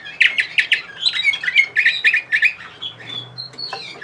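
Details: A Bulgarian canary in Sofia, Bulgaria, 2020, delivers quick repeated bright chirps, about five per second, changing to a faster chattering trill and ending on a few thin, drawn-out whistles.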